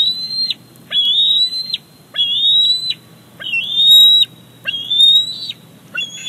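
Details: Bald eagle eaglet begging at Big Bear Lake on 28 July 2019 as its mother delivers a fish. Six piercing, level whistles, each opening with a quick upward slide, repeated at a steady pace of a little over one per second.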